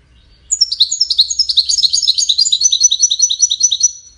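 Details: European goldfinch song, a continuous rapid twittering of high, sharp, slurred notes tumbling over each other for several seconds, busy and liquid, with a quiet low hum underneath.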